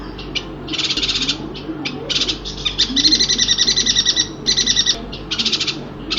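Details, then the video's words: Yuhina from Kalimantan giving high, buzzy chattering bursts of rapid pulsed notes, each lasting under a second, with a faint low hum and murmur behind. "Suara burung yuhina"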